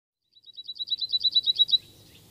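A cirl bunting sings a fast, dry, rattling trill of about a dozen high notes on one pitch. The notes grow louder through the trill, and faint background noise follows.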